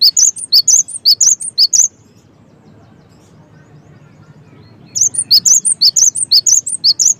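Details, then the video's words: Loud cinereous tit song meant to prompt other tits to sing: rapid high chirp triplets for almost two seconds, a three-second pause over faint low rumble, then the bright repeated phrases resume. "SEmuA GelaTIk LangSung iKuT GaCor deNgarkan suara GELATIK BATU gaCoR ini"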